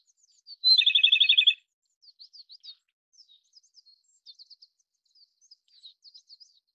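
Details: Japanese robin song: a clear high introductory whistle leading straight into a fast, loud, even trill of about ten rattling notes lasting under a second, followed by soft, scattered high chips and twitters in a quiet background.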